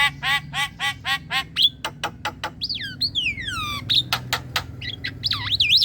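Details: Javan myna singing actively, a lure sound for young and untrained mynas: rapid harsh arched notes give way to sharp clicks and long, down-slurred whistles and squeaky rising notes, with a low hum beneath.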